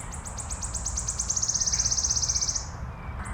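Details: A wood warbler singing in Minsk, Belarus, in April 2025: high, thin notes speed up into a dry, shivering trill lasting about two seconds, over a low background rumble.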